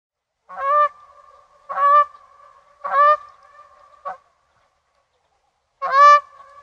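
A goose gives four loud, nasal honks about a second apart, then a pause and one more, each trailing into a steady humming tone.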